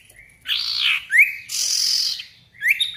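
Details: Lively sirtu (Ashy Tailorbird) lure song: a broad harsh buzzy note, a sharp upswept whistle, a long raspy hiss, then another upswept whistle.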